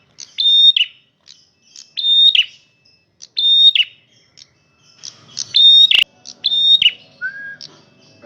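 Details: Loud male red prinia in full song, repeating phrases of brief high notes, a sustained steady whistle and a falling scratchy ending roughly every one and a half seconds; a sharp click and a faint lower whistle appear near the end.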